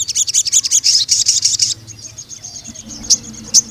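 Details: Vigorous crimson sunbird song used as a tutor for young males: a dense, fast high trill of bright pulsing notes for nearly two seconds, then a thin faint tone and two sharp ticks.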